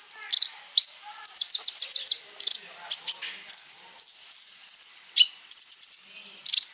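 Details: Konin singing a packed, varied song meant to spur other birds into singing: quick high chattering trills, short whistled notes and sudden sharp chips in rapid succession.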